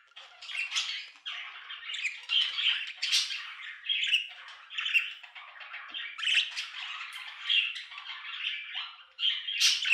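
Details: Budgerigar chatter: continuous scratchy warbling with squawks, clicks and sharp chirps, bursts rising and falling every second or so, bright and busy throughout with no other sounds.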